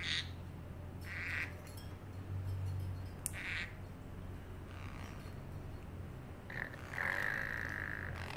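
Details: A pet parrotlet in its cage makes funny sounds: brief squawky notes, then a longer, level, whistled tone near the end, over a constant low room hum.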